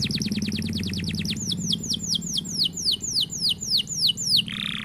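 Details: Canary in a long rolling song: a fast run of steep falling whistled notes, then slower repeated downslurred whistles about four per second, ending in a brief buzzy note; a low hum underneath.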